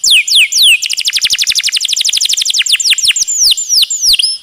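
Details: Canary song with a long roll, used to tutor other birds: a few sweeping whistles, then an extended rapid run of descending notes that slows into separate swoops.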